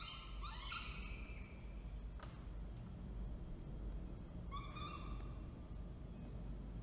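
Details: Falcons on a camera feed in Orange, NSW, Australia, 19 October 2024, as the male brings food and the female feeds: two harsh, drawn-out harmonic wails, one early and one after a pause, over steady low background rumble.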